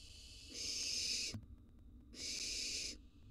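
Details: Two drawn-out, harsh hissing screeches from wild barn owl chicks in a nest box as they are fed rodents, each lasting nearly a second, separated by a brief quiet gap with a soft knock.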